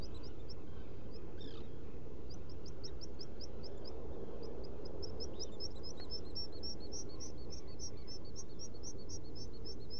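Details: Black guillemot at a nest burrow in rock crevices on Seal Island NWR, Maine: a long run of thin, high peeping whistles, repeated rapidly and growing denser in the second half, over a steady low rumbling background.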